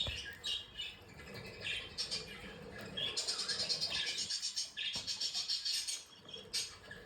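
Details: Pet budgerigars, described as happy and playing, give soft warbling chatter with quick repeated chirps and scratchy notes; a lighter pulsed run of chirps in the middle half.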